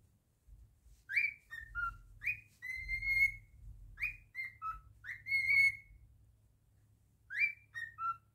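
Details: Pet cockatiel singing a repeated whistled phrase: a rising slur, then lower falling notes and a held whistle, repeated three times with gaps, soft low rumbling beneath.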